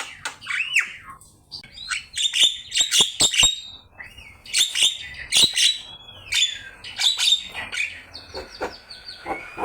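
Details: Javan myna in vigorous song for training birds: clusters of sharp clicks and rattling chatter with bright high whistles, grouped into bursts separated by short gaps, ending in rising whistled slurs.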